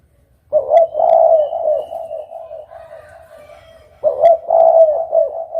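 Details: After a short silence, a spotted dove gives a loud, hoarse coo phrase. A quieter coo drones on, then a second strong phrase comes about three and a half seconds later.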